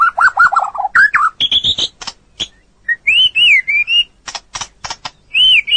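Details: White-rumped shama training song for other birds: wavering whistles and quick rising notes mixed with dry clicks, then arched, looping whistled phrases separated by brief pauses.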